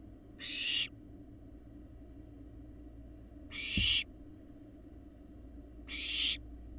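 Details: Barn owl fledglings nearly parent-sized, filmed by a live nest camera in Florida in 2022: three drawn-out, noisy hissing screeches about two and a half seconds apart, a brief click between them, low hum throughout.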